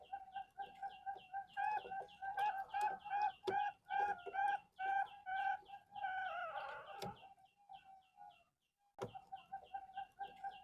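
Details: Male zebra dove at a Bantul farm breeding Bangkok-line birds: a long run of quick coos on a level pitch, mixed with sharp clicks and knocks, fading into a slurred end, then brief renewed coos.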